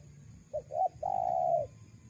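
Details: Spotted dove lure call for wild doves: one phrase of two short soft notes followed by a single long, level, mellow coo that fades at the end, over quiet low hum.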